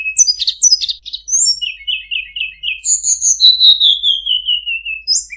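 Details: Sunda robin in full varied song for training cage birds: scratchy high chirps, a run of five short repeated notes, then a long thin whistle that falls steadily, ending with a brief upward note.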